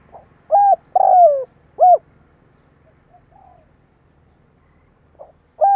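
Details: Decoy spotted dove from Vietnam calling to attract wild doves: one clear phrase of short coo, long rough descending coo and short arched coo, followed by faint soft notes and the start of another phrase.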